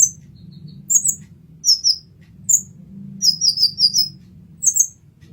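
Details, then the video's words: Olive-backed sunbird, locally kolibri ninja, master recording: high, sharp chips, some paired, with a rapid run of five in the middle, over a noticeable low droning hum. "Kolibri Ninja Masteran"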